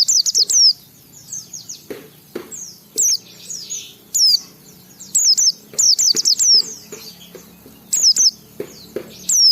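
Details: White-eye song used as a prompt to make other white-eyes sing, with loud sharp falling whistles in quick clusters over softer high twittering, fairly continuous throughout.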